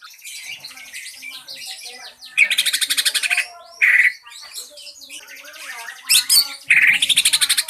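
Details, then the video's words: Green leafbird lure song to set other birds singing: continuous busy twittering broken by loud rapid rattling trills and bright slurred whistles. "KICAU CUCAK IJO PANCINGAN PALING DIJAMIN IKUT BERKICAU"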